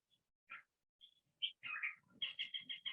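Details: Male California Thrasher song, which blends in imitations of other chaparral birds: scattered short harsh notes, then a run of quick, repeated, buzzy chirped phrases in the last second, with a faint low rumble underneath.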